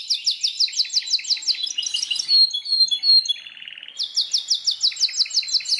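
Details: Belgian canary song with a fast run of repeated sharp notes, a brief lower buzzy roll, then another quick high trill of evenly spaced downstrokes.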